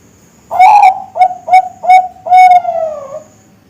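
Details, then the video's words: Bangkok zebra dove (perkutut Bangkok) youngster singing: a drawn-out, slightly rising coo, three short punchy notes, then a long final coo that sags downward at its end, in a quiet setting. "Suara Masteran Perkutut Bangkok"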